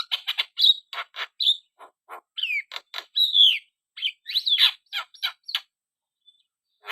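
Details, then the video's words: Black-winged starling singing vigorously: sharp clicks mixed with short slurred whistles and drawn-out falling whistled notes, trailing off into scattered chips. "burung jalak kebo gacor"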